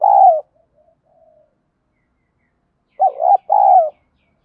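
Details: Spotted dove cooing as a fighting lure, deep 'giọng đồng' style: a long falling coo with faint trailing notes, a pause, then a wavering coo followed by another sustained falling coo.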